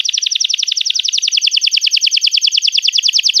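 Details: Canary singing as a lure for young canaries: one steady rapid trill of double-toned chirps, roughly ten per second, continuing without a break.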